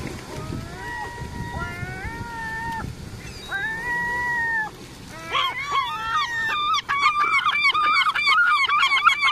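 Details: Seagulls calling together, first in long, level, tonal wails with harmonics, then breaking into a rapid run of short, bouncing, laughing notes from several birds, over a low background rumble.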